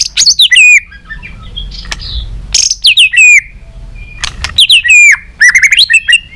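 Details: Tail-flicking White-rumped shama singing a competitive many-voiced song in separate bursts: each phrase starts with a harsh note and continues as rapid looping whistles, with short quiet gaps and a sharp click between phrases.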